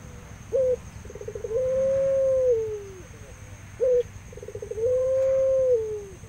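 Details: Barbary dove, puter pelung type, from an aviary, calling vigorously: a short clipped note, then a rapid stuttering roll leading into a long, smooth, slightly rising then falling coo, the whole phrase given twice over low background rumble.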